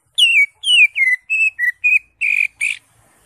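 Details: Eight clear whistled notes from a greater green leafbird singing energetically in ngentrok style full of fill notes, starting with falling slurs and ending in flatter, harsher buzzy notes, spread over about two and a half seconds.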